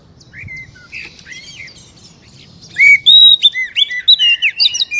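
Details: Oriental magpie-robin song meant to make a captive bird sing: soft distant phrases at first, then a loud rush of clear whistled notes, slurs and short chirps.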